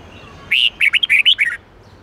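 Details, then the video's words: Red-whiskered bulbul singing an 8-9-10 note twisting song used for daily song training: a fast burst of about eight bright, warbled, clear notes in under a second, rising and falling sharply, over a quiet background. "Luyện giọng chào mào hót âm 8-9-10 xoắn tít cực hay | dùng luyện chào mào hót theo mỗi ngày"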